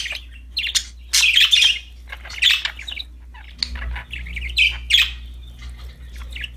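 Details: Pet budgerigars, happy and playing with a new toy, chirp in bursts of bright, scratchy warbles roughly every second, broken by short quiet gaps, with a low steady hum underneath.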